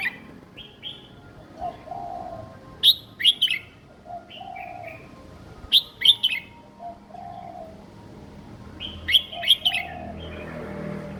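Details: Young caged red-whiskered bulbul giving a simple song style suited for other young birds to copy: three sharp bursts of clustered, bright chirping notes about three seconds apart, each followed by short whistles, over a soft low cooing in the background.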